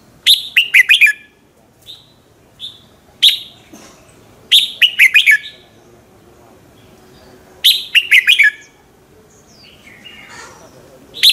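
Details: Red-whiskered bulbul morning song used to trigger other birds into singing: repeated rapid phrases of four or five loud descending whistled notes, roughly every three to four seconds, with isolated single notes in between.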